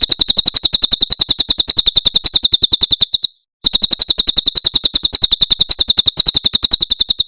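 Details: Cililin 'tembakan' song of a Javan prinia for training caged birds: a long, machine-gun series of high, metallic chirps, about three to four a second, broken once by a short gap before resuming.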